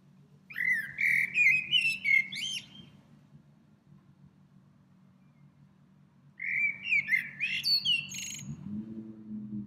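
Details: A little bird sings in a tree in springtime, returning there several times each day; two lively warbled phrases separated by a pause of a few seconds, each a run of quick rising whistles and chirps.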